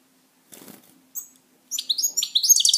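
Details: Wingbeats from a pet European goldfinch are followed by a single sharp note, then a burst of bright twittering song with quick tinkling notes over the final second.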